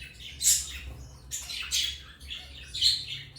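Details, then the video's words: African lovebirds chirping: harsh, broadband high squeaky chirps in short bursts about every second, bright and scratchy, with a faint low hum beneath. "Love birds singing and chirping sounds| African love birds chirping sound"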